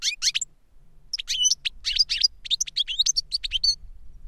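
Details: European goldfinch singing with a young goldfinch it has taught through recordings of its song: quick high twittered chirps and buzzy trills in short bursts, separated by brief gaps, with a low hum beneath.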